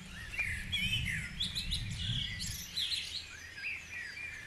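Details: Dawn chorus at Guisborough: several birds singing at once, overlapping whistled and warbled phrases and high twitters, over a low rumbling background hum.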